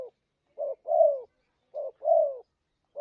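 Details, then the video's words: Spotted dove coo used as a trapping lure, showing two clean phrases of a short soft note followed by a longer, drawn-out downward coo, with silence between. "Suara pikat burung tekukur ampuh"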